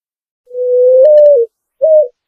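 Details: Picazuro pigeon, original unprocessed sound: one long smooth coo rising a little midway and falling at the finish, then a single short coo.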